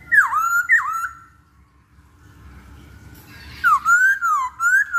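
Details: Masked laughingthrush song used as a lure for fast singing: two swooping dip-and-rise whistles, a pause with soft background noise, then a run of lively wavering whistles rising and falling.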